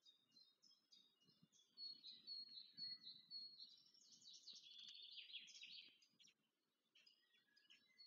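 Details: Nestlings of the black stork (Ciconia nigra) begging while being fed at the nest near Łódź, Poland, on 14 May 2023. Thin high chirps build into a sustained, dense squealing chorus that then breaks off abruptly.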